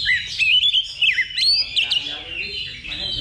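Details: Oriental magpie-robin in a simulated contest for pre-competition training: rapid, rich whistles that swoop steeply up and down, mixed with buzzy notes and overlapping song from other birds.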